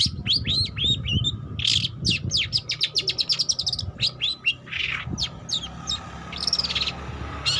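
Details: Learning song of a young long-tailed shrike: looping whistled slurs and rapid clicking, scratchy notes in uneven bursts, ending in a few arched whistles, against a noticeable low rumble and steady hum.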